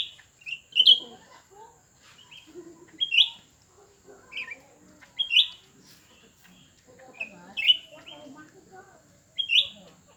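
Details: Two cucak ranting birds, old and new, contest with each other. Crisp chirped notes repeat about every one to two seconds in an uneven rhythm, with quieter twittering between them and a faint constant high tone.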